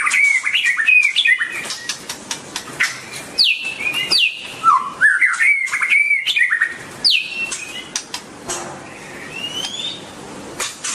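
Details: Song of a white-rumped shama (Copsychus malabaricus): rapid varied whistles and chirps, descending swoops and trills, delivered in quick bursts for about seven seconds, then quieter with faint distant notes and clicking sounds.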